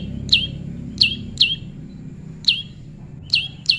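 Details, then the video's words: Prinia, tame, in natural pairing: six crisp high chips, each sliding steeply down, spaced unevenly with a longer pause in the middle, over a low rumbling background. "prenjak lumut jodohan alam/prenjak jinak/prenjak bawah/prenjak putih"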